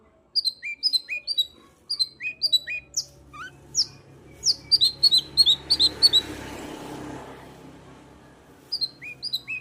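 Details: Long-tailed shrike song intended to stimulate singing: quick series of high, sharp chirps and mimicked whistled notes, fast and uneven, with a brief noisy rustle midway.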